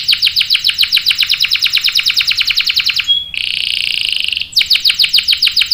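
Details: A canary's long rolling song, played to coax other canaries into singing: a long, fast series of repeated high notes, a buzzy trill in the middle, then the rapid series resumes.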